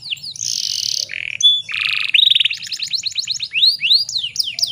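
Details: Canary hen in breeding condition, used as a lure to get male canaries singing: harsh buzzing notes and a short rattle, then a quick trill and widely spaced, descending whistled sweeps.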